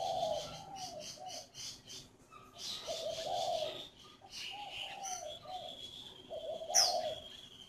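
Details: Coos of a captive spotted dove from a northern Vietnamese bird farm near Hanoi: soft, low phrases repeated every couple of seconds, with faint chirps and background hiss.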